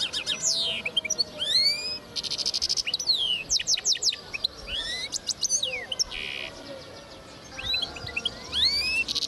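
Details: Song of a linnet and goldfinch hybrid, 2010: sweeping upward and downward whistles, clusters of sharp twittering notes, and short harsh buzzy bursts, phrases tumbling one after another with little rest.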